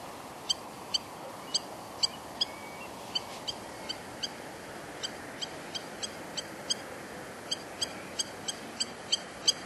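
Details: Spur-winged lapwing giving alarm calls: sharp, metallic 'tik' notes, about two each second at an uneven pace, over a steady low rushing background.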